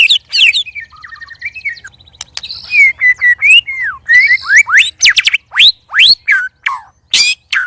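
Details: White-rumped shama kept in a cage and sparring alongside two others, singing loud and strange: a varied burst of rattles, buzzy trills and sweeping whistles that rise and fall, then quick upward-slurred notes.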